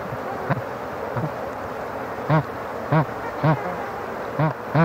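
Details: Low murmuring and faint grunts at first, then a Bar-headed Goose breaking into a run of five clear, nasal honks spaced about half a second apart.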